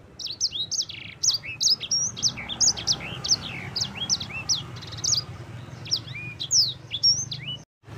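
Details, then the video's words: Sanger-type yellow-fronted canary in full, eager song meant for tutoring other birds: quick sequences of bright, high whistled sweeps rising and falling, some notes doubled, delivered almost without pause, soft low hum beneath. "Suara burung sanger gacor"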